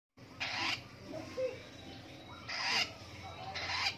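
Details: Long-tailed shrike in the morning giving three harsh, rasping bursts, each under half a second, spaced one to two seconds apart over a quiet background.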